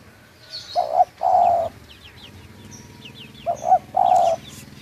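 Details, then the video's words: Spotted dove, local bird of Munjung Agung village in Kramat, Tegal, gives two phrases of paired short notes ending in a long smooth coo, with soft high chirps of small birds behind it. "Suara panggilan tekukur lokal"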